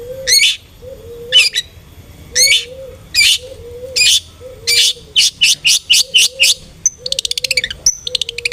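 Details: Long-tailed shrike (cendet) song used as a lure to provoke aggressive singing: loud harsh high bursts alternating with a soft low whistled note, then a fast chattering run of clipped notes near the end.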